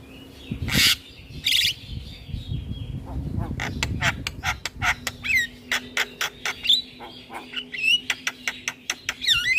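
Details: Caged Javan myna in full voice with head-bobbing display: after two loud harsh bursts comes a rapid run of clicking notes mixed with rising whistled squeaks, over a low background hum.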